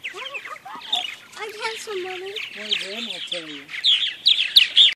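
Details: Purple martins flying in the morning give a busy stream of high, gurgling chirps and chortles that overlap without pause; lower murmuring tones, possibly voices, sit underneath.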